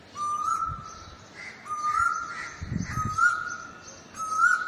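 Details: A perched Asian koel calls a clear, whistled, rising 'koo-oo' note about every second, four times in a row, with faint low rumbling in the background.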